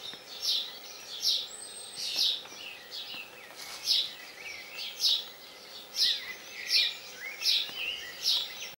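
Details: Albino starling at Northorpe, 06.06.21, giving a steady series of rasping high buzzes, about one per second, mixed with brief descending whistled notes and faint chirps.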